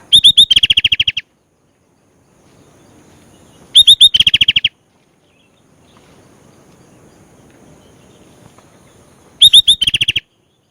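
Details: ['Sooty-headed bulbul (kutilang), described as a lively singer full of varied phrases: three bursts at even intervals, each opening with a few sharp high clear notes and then a fast rattling run of about a dozen pulsed notes, with near silence between.']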